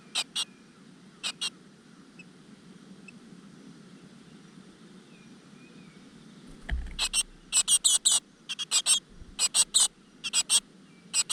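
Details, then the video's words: Great tit chicks in a rock-crevice nest as the mother brings food: a few isolated raspy bursts, a long quiet stretch, a soft low thump, then rapid clustered hissy begging. "A nest of great tit in the crevice, the mother brings food to the little bird石缝里的一窝大山雀，鸟妈妈给小鸟送回虫子"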